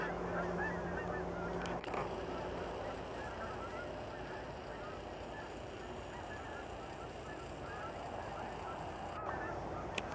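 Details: Flock of geese flying over at night on March 1st, heading north: faint, rapid honking yelps scattered throughout, half-buried under a steady roar of traffic from a nearby main road.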